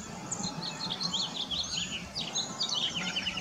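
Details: Cedar waxwings, a group of around 35, perching and singing in a nearly bare tree during a walk; dense, rapid high twittering and thin sibilant notes pile on one another without pause, distant low hum beneath.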